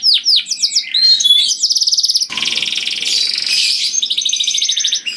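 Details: Loud, tuneful canary song meant to draw in other canaries: quick downward whistled slides lead into long rapid trills and a harsh buzzing rattle, then evenly pulsed trilling phrases, one bird singing without pause.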